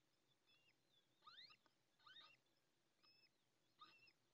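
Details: Newly hatched little owl chick, still wet, in its nest in La Moraña, Ávila, Spain, at dawn on 20 May 2024 after the female leaves; thin, rising-then-falling peeps come in uneven bursts over faint background hiss.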